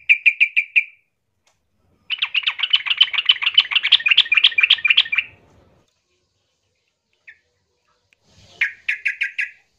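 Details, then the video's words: Yellow-vented bulbul singing aggressively while seeking a rival: a short burst of rapid chattering notes, then a long run of fast, bubbly repeated phrases, then another quick chattering burst after a pause. "suara trucukan gacor ngamuk mencari lawan"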